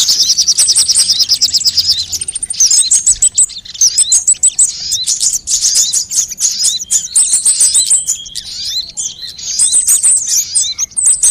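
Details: Lure mix of various sunbirds for attracting birds and training songbirds: a continuous tangle of shrill, high chirps and clipped trills from several overlapping callers, with brief pauses near the middle.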